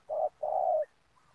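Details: Single coo couplet of a spotted dove used to lure birds for trapping in an oil palm plantation, a short soft note followed by a longer, slightly falling hollow coo.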